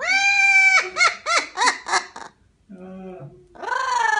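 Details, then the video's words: Parrot's devilish laugh: a long harmonic note, then a run of four rapid chopped 'ha' syllables, a low murmur, and a final rising harmonic squawk. "Funny parrot | Devil laught"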